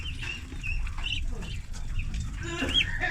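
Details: Farm ducklings, thirty head, at feed; clipped high peeps in short series, one louder rising squeal near the end, with low-pitched background rumble throughout.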